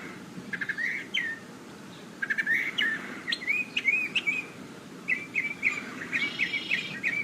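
A Northern Mockingbird sings varied bursts of chirps and twittering notes, each phrase quickly repeated, with soft wind and distant red-winged blackbirds.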